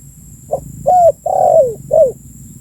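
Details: Tekukur, or spotted dove, coos as a bird-attracting lure: one brief note, then three mellow hoots, the longest bending down in pitch, loud and near with quiet hum behind.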